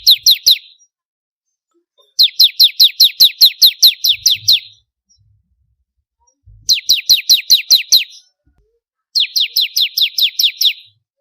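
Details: Bar-winged prinia, known locally as ciblek kristal, singing as a training model for songbirds: quick runs of sharp descending chirps, several notes per second, repeated in four bursts with pauses between.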